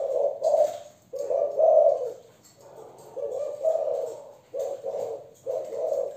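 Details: Young Malaysian spotted dove hen in thổ voice: repeated low hoarse coos in clustered pairs and triplets, each phrase slightly falling, with short pauses between groups and a light background hiss.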